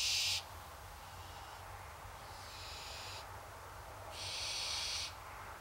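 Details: Several rasping hisses from hungry barn owls begging for food: a loud burst at the start, a fainter wheezy one in the middle, then a strong second-long screech near the end, with low hum throughout.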